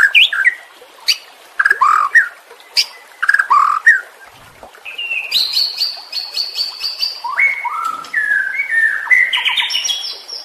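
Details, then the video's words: White-rumped shama song played as training audio for caged birds: scattered rich whistled phrases with clicks, then a sustained high buzzy trill and stepwise shifting whistled notes. "Masteran murai batu anti zonk cocok untuk murai batu yang macet bunyi"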